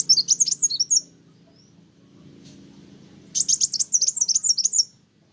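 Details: Kolibri wulung sunbird singing vigorously, said to rile other birds: a one-second burst of thin, high, jumbled chirps, a pause, then a second longer twittering phrase of rapid sharp notes.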